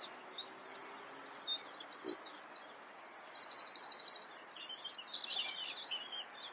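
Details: Singing common whitethroat, Sylvia communis, delivering a fast scratchy warble with buzzy rattled trills and strings of rapid repeated high notes, phrases run together over several seconds, faint low hum behind.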